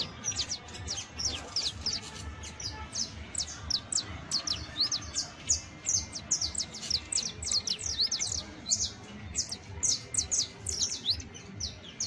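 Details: Saffron finch song for coaching Creole canaries: fast, continuous run of high, steeply descending chirps and trills, lively and almost unbroken.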